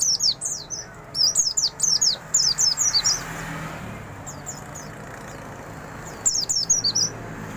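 A white-eye sings bursts of rapid, high, sweet twittering notes that slur up and down, with short pauses between phrases over a faint low background hum.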